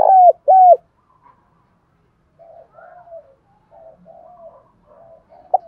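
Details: Spotted dove of the Đồng Thổ voice style, lure calling with thúc/gù: two loud bowed coos open, followed by several seconds of soft, wavering low cooing murmurs and a single sharp note at the end.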